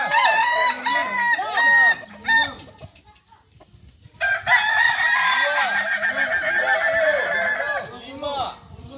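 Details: Kukuak Balenggek roosters crow in a practice round of a crowing contest; arched, repeated notes from several birds fill the opening, drop to near quiet around three seconds, then return as a loud overlapping chorus.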